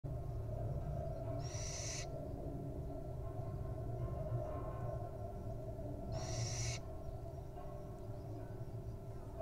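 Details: Wild barn owl nestling resting and settling down to nap; two harsh, broadband hissing bursts about half a second long, roughly four seconds apart, over a steady low hum.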